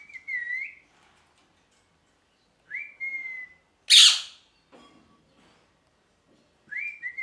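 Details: Parrot producing repeated whistled calls, each a steady note with a rising twist at the end, spaced a few seconds apart, with one loud harsh squawk between them.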